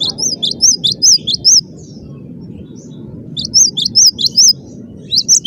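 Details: Intense, tightly packed song of a cinereous tit: a quick series of high alternating two-note whistles, a gap of nearly two seconds, then another run, with steady low-pitched noise underneath.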